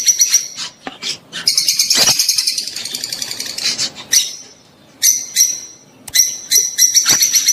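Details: Rosy-faced and Fischer's lovebirds calling to stimulate the female to breed: clipped high chirps, a long harsh rapid chattering passage, then separate piercing squeaks.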